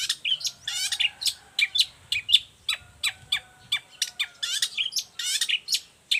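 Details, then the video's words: Energetic long-tailed shrike song suited as a master recording and lure for other shrikes: a rapid, continuous run of varied scratchy chips, trills and sharp ticks with almost no pauses, with faint steady tones behind. "Cendet gacor cocok buat masteran juga pancingan cendet lainnya"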